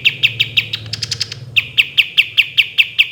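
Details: Kapas tembak, the olive-winged bulbul, in active song for training: rapid sharp chipping notes, a brief higher faster trill in the middle, then the steady rapid chips return, over low rumbling noise.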